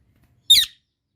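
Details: A single short, harsh squawk from an Indian ringneck parakeet, raspy and high, lasting about a quarter second against silence.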